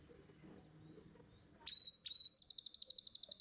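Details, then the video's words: Champion canary master song for training young birds: two clear level whistles, then a quick rhythmic trill of bright high notes, over quiet background murmur. "Pancingan Kenari Muda Cepat Bunyi & Ngeriwik – Masteran Kenari Juara Gantangan"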